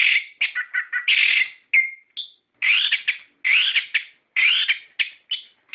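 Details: Captive-style orange-headed thrush lure song: rapid buzzy warbles at first, then loud rising-falling whistled phrases repeated roughly every second with short gaps.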